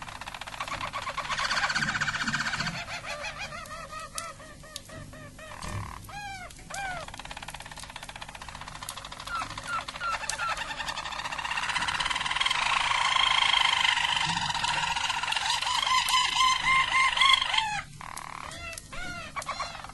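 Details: A Harz Roller canary sings its classic song, a soft, continuous stream of rolling trills and warbled tours.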